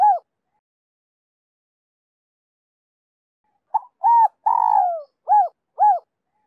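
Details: Spotted dove lure call in the 'son 2 hậu' style, meant to make wild doves respond: one coo, a long pause, then a quick run of short coos around a long sliding coo, ending in two even coos.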